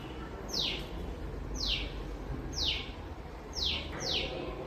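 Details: Unseen small bird calling from a balcony, said to sound as if calling for its mother: sharp downward-sweeping high notes repeated about once a second, five calls, over steady low background hum.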